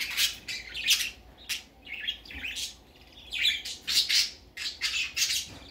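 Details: Baby budgerigar out for the first time, calling in a rapid series of raspy squawks and chirps, several in quick succession with short silences between groups.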